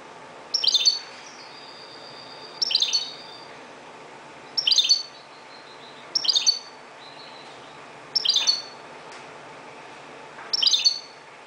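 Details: Moroccan European goldfinch singing at dawn; short bright twittering phrases high in pitch, repeated about every two seconds, some followed by a thin sustained whistle, over a quiet steady background hum.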